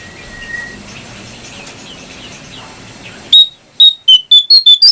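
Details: Brown prinia singing in chirping, fluting style for training caged birds: quiet hiss for over three seconds, then a sudden run of loud, piercing high chip notes, evenly spaced and quickening slightly toward the end.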